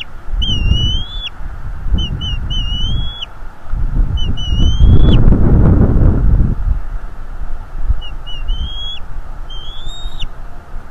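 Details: Male bald eagle attacking an intruder at a northeast Florida nest, captured by a live cam: repeated bursts of chippy pips ending in rising whistles, about five series, with a loud rushing, rustling noise midway.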